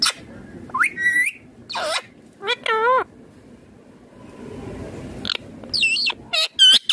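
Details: Indian ringneck green parrot, described as a talking parrot, producing varied natural sounds: rising whistles, wavering harmonic squawks and quick chattering notes, some possibly speech-like, in irregular bursts with a hushed pause midway.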